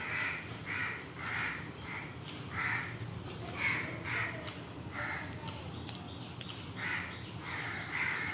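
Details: A morning flock of crows, joined by pigeons and mynas, caws harshly and insistently at a monkey lying on a nearby tin roof, with rasping bursts about every half second, overlapping one another; a man's voice is faintly heard.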